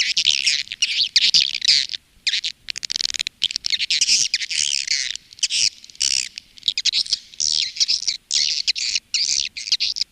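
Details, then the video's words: Swiftlets twittering in a farmers' lure recording from Indonesia, Women Flower style, for calling and roosting: dense, continuous high buzzy chatter in long overlapping phrases with only short gaps. "SUARA PANGGIL DAN INAP BURUNG WALET"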